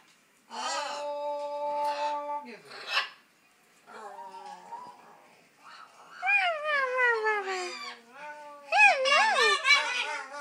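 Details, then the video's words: Macaw mimicking talking indoors, a rough, fuzzy imitation of speech: a held nasal tone, then mumbled syllables, then swooping, wavering vowel-like sounds growing louder toward the end. "Macaw talking"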